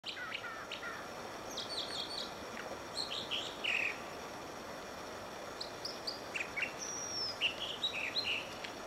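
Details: An American dipper on Whisper Creek near Diamond Lake, Oregon, sings while dipping: high, varied phrases of sharp chirps, short whistles and buzzy notes, with a thin downslurred whistle near the end, over rushing water.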